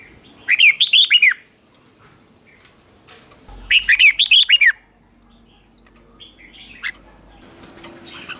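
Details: Red-whiskered bulbul singing as a decoy to draw in wild bulbuls: two loud, near-identical phrases of rapid warbled whistles about three seconds apart, then scattered softer chirps and a whistled note.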